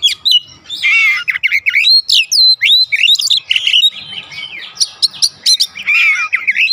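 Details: Oriental magpie-robin in continuous song, used to stir other birds at home to answer: harsh rasping notes mixed with clear whistled slurs and quick chips, fast and varied throughout.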